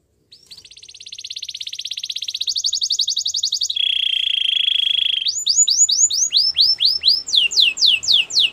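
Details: Belgian canary in full song: a fast trill swelling steadily in volume, a lower buzzing roll, then loud, evenly spaced down-slurred whistles repeated a little more than three per second.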